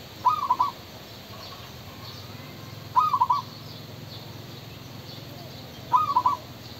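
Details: Three evenly spaced cooing phrases from a male spotted dove, each a short cluster of soft notes, repeated about every three seconds against a faint low hum.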